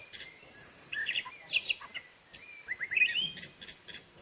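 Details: A white-rumped shama sings as it bathes in rain, delivering rich, rapidly varied whistles, rising slurs and crisp high chips in dense phrases, with a steady high hiss behind.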